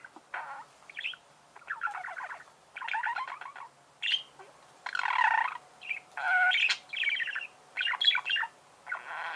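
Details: Warbling budgerigar chatter: varied buzzy and squeaky phrases follow one another irregularly, with scratchy creaking notes mixed in.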